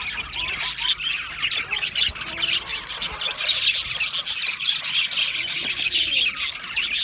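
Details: Budgerigar singing and chirping, offered as company for lonely budgies; dense, overlapping chatter of high, buzzy warbles and squeaky chirps, continuous and irregular throughout.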